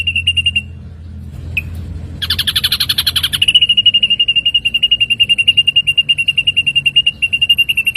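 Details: Ashy drongo as a training recording for songbirds: a short trill and chip, then a loud buzzy rattle passing into a long, even, fast high trill lasting over four seconds.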